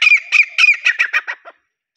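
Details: Grey francolin, known locally as desi teetar, giving a loud, harsh call: a run of about eight squawky notes, the first few longer and the later ones quicker and fading, then silence.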